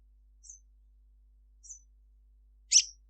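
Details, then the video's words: Crimson sunbird calling at midday: two thin, very high chips about a second apart, then a louder, sharper, buzzy note; nothing else is heard. "Kicau sunbird Sogon gacor cruit cruit"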